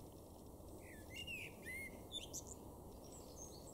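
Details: Garden-singing male common blackbird, Weener in East Frisia, northwest Germany, April 2024; mellow whistled phrases dipping and rising, then a thin high chattering flourish, quiet against broad low-frequency noise.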